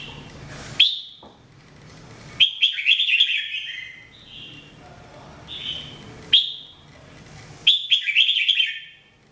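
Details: Trained jambul or red-whiskered bulbul singing repeatedly: sharp upslurred notes alternating with bubbly warbled phrases and a mellow slurred whistle, roughly every one to three seconds, against faint low hum.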